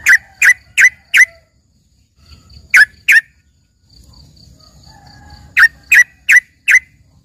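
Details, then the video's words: Trained yellow-vented bulbul (trucukan isian) with song said to resemble a lively cucak ijo: runs of four evenly spaced sharp chirps, a pair in the middle, and faint whistled tones between. "dengerin suara trucukan isian ini serasa bagai punya burung cucak ijo gacor"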